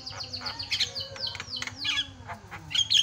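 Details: Javan myna with lively varied song, used to rile up other mynas: quick descending whistles, squeaky chips and scratchy notes packed tightly together, over low background hum.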